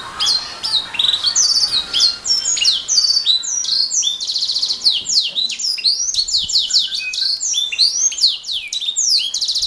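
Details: Canary song used as a master recording to tutor songbirds: dense, continuous high twittering with quick slurred whistles, buzzy rolls and trilled rattles throughout.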